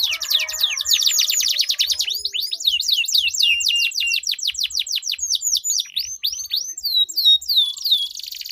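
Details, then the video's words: Two canaries dueling in a long rolling song meant to get other canaries singing: an extended run of rapid, high, downward-sweeping trilled notes, about three per second, with a brief lower buzzy roll near the start. "Duel Burung Kenari Suara Merdu Ngerol Panjang || Pancingan Ampuh Kenari Macet Gacor Ngerol Panjang"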